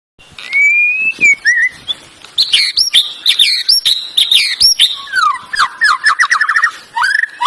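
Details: Canary singing a loud, varied song: a rising whistle, then rapid sharp chirps and warbled high phrases, ending in a fast rolling trill of repeated notes with a final upslurred whistle.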